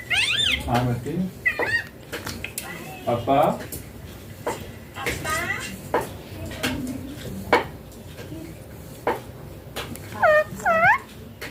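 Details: A pet talking ringneck parrot gives nasal, speech-like chatter such as "papa" and "bye bye", broken by sharp rising squawks in short bursts every second or two, with faint background clatter.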